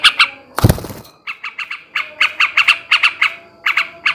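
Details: Raspy chattering of a male sooty-headed bulbul in ngebrem ngekek style, used for breeding stimulation; a loud thump interrupts early, then harsh buzzy notes follow in short clustered groups.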